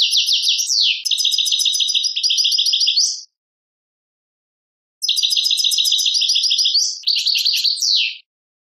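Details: A European goldfinch from Tadmait, Algeria, delivers long phrases of rapid, evenly pulsed silvery twitters with swooping slurs, repeated twice with a gap of nearly two seconds between them.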